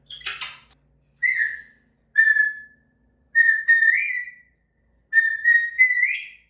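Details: Pet African grey parrot at home, going through puberty, mating season and the terrible twos, gives a raspy note then four clear whistles, the later ones longer and sliding upward at the end.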